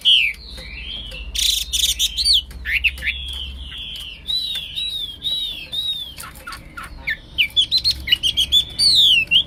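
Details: Nonstop wambi or Hwamei song: a chain of clear slurred whistles and downward-swooping phrases, with a burst of harsh buzzy noise near the start and quick rising notes toward the end.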